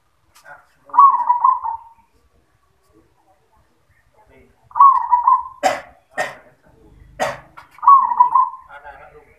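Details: Zebra dove song: three bubbling, warbled coo phrases of about one second each, interrupted by several sharp loud clicks or knocks.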